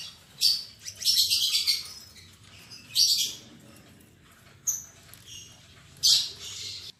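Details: Just-paired lovebirds in a cage, albino MM male and lutino MM female: repeated short, shrill squawking bursts, one longer chattering run near the start, separated by quieter gaps.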